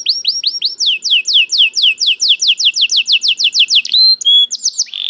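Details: Canary singing a steady series of clear, downward-sweeping whistled notes repeated about four times a second for four seconds, ending with short high whistles and a buzzy note.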